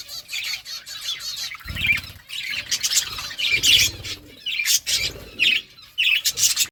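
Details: Chirping birds at their food give lively, high twittering chatter with repeated sharp squeaky calls every second or so, mixed with low dull thuds.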